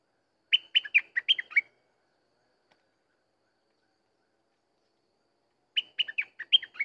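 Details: Sooty-headed bulbul singing, recorded for luring birds: two lively phrases of quick, bright, warbled chirps, each lasting about a second, separated by roughly four seconds of silence, with a clean background.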